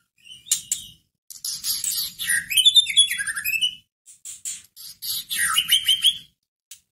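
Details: White-rumped shama song meant to rouse a caged shama's fighting spirit: scratchy clicks, then a varied sequence of sliding whistles and chattering trills, a gap, and another rich descending-rising phrase.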